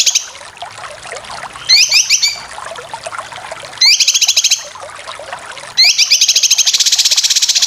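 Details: Cucak kinoy besetan chatter for competition birds, in three loud bursts of fast buzzy rising trills, the last running into a sustained rapid rattle.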